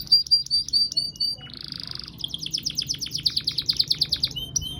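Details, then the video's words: Canary (kenari) delivering long continuous song: bright repeated whistled notes, a brief buzzy rattle, then a dense rapid trill of sharp notes rising in loudness, closing with a high whistle; low hum beneath. "KICAU KENARI DURASI PANJANG"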